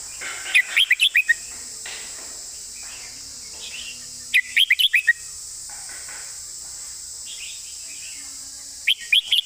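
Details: Red-whiskered bulbul singing a master song with nicely flowing phrasing: three bursts of four to five quick, bright warbled notes, spaced about four seconds apart, over a steady high hiss.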